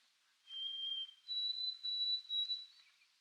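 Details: White-throated sparrow, an early migrant returning to Sunset Cove, Canada, with its song rendered 'O Sweet Canada, Canada, Canada': one clear, pure whistled note, then a higher sustained whistle broken into three steady pulses, over a quiet background.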